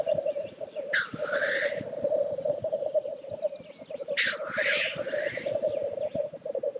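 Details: At the lek, black grouse keep up an unbroken, rolling, dove-like bubbling, cut twice by loud, harsh, hissing whooshes about three seconds apart.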